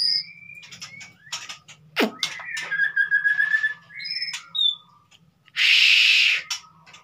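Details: White-rumped shama 'konslet' lure song for a silent bird: scattered clear whistles and chirps, a sharp downward crack, then a loud harsh rasping burst near the end over a low steady hum.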